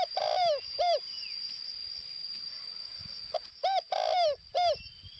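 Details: Spotted dove kept as a decoy in northwestern Vietnam calls in two phrases: a long falling coo plus short arched note, then after a pause a clipped note, an arched coo, a long falling coo and an arched one. A steady whine continues.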